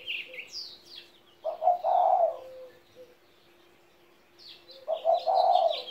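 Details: Two husky, purring coo phrases come from a 17-year-old pet spotted dove, with a pause between them. Small birds chirp and whistle above the coos before and after.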